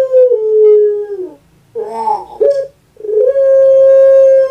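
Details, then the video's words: Captive puter pelung dove giving its long coo: a sustained, even hoot that slides down, a rough gurgled 'geruk' in the middle, then a rising note held steady to the end. "KURANG AJAR BENER SUARANYA BIKIN PUTER PELUNG LAIN SAKIT HATI"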